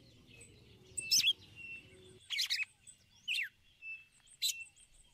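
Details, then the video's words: A female red-cowled cardinal calls the male with ticulau notes: a cluster of sharp, descending chirps. Low background rumble stops after about two seconds. "Fêmea de galo de campina chamando e macheando ticulau pra esquentar o macho"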